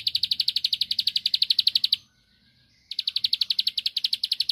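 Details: Bar-winged prinia, known as ciblek sawah, in rapid song meant to rile a rival into replying: a fast even train of dry, high ticking notes about four per second, a short silent gap, then the ticking resumes.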